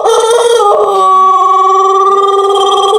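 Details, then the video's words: Part of a long, melodious crow from a Pelung chicken, an ornamental breed native to Cianjur in West Java, Indonesia. The loud tone stays steady throughout with a slight shift in pitch partway through. "Ayam Pelung Indonesia | Suara Kokok Panjang & Merdu yang Unik"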